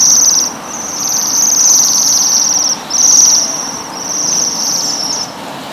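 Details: High-pitched metallic trilling from Waxwings eating rowan berries, long buzzy phrases with short pauses, over a low steady background rumble.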